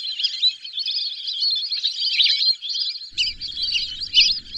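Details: Lesser whistling ducks calling in a dense chorus of thin, high whistled chirps and twitters, overlapping and continuous, with a faint low rumble of background noise entering near the end.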